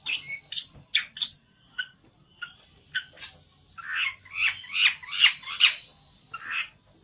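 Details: Olive-backed tailorbird searching for a rival: scattered sharp high chips at first, then a louder jumbled sequence of buzzy, warbled notes over a faint sustained whistle.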